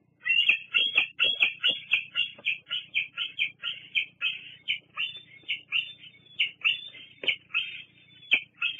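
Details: Bald eagle at Fraser Point on 08-08-22, squeeing persistently at a parent at the nest. A long unbroken run of about twenty shrill, wavering squeals, roughly four per second, with faint rustles beneath.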